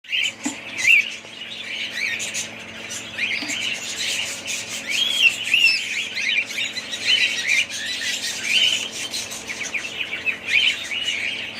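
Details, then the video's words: Budgerigars chattering continuously, with many overlapping warbled chirps and short squawks forming a dense, busy chorus with no pause. "budgies parrots"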